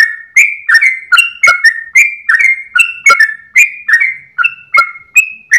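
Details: Sooty-headed bulbul at dawn, a singing bird with a long rapid song style and tail-wagging, used for training cage birds: clear whistled two-note phrases, dropping or rising, repeated about every half second with no other sounds.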